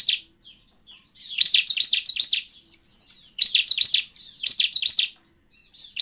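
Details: Lure song of bar-winged prinia used to draw in wild birds, delivered as fast strings of sharp high chirps mixed with looping thin whistles, bursts rising and falling with brief pauses.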